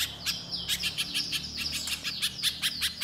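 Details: Little spiderhunter in lively song, a fast run of sharp, high chirps about five per second, some notes sliding downward, with a steady low hum beneath.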